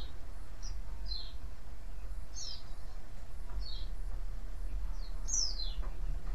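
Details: White-eye calling to lure others into answering: scattered high, slurred chirps, softer at first, with one louder descending note near the end, over steady low-pitched noise.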